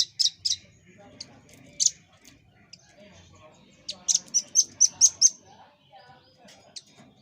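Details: Velvet-fronted nuthatch, called rambatan paruh merah, in a master recording for cage birds: scattered sharp high chips at irregular intervals, then a short run of six rapid high notes, and more isolated chips.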